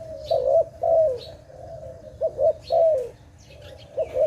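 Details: Dove heard near bird traps, cooing low and mellow: long falling coos interleaved with short doubled notes, over soft background hum and a few distant high chirps.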